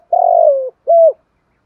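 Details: Spotted dove lure recording for captive birds. A long rough, slightly descending coo is followed by a short clear coo that dips at its end, in otherwise silent surroundings.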